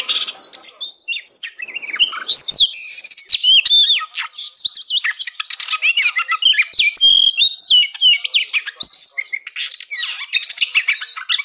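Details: Fighting song of an Oriental magpie-robin, used as a mental test to boost breeding drive of contest birds before competing; continuous varied high whistles, buzzy notes and quick slurred phrases, loud and dense throughout.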